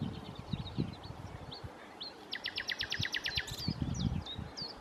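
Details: Common nightingale in song at Challow Hill, Corfe, 4 May 2015: thin whistles lead into a loud rapid series of about a dozen sharp repeated notes, then slurred whistles, over wind rumble.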